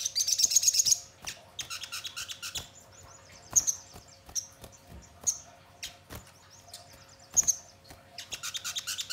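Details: Crimson sunbird song used as a lure to make birds sing and answer: an opening rush of shrill, high trilled notes, then scattered sharp clicks and thin whistles, ending in another fast, dense twittering burst. A low steady hum runs throughout.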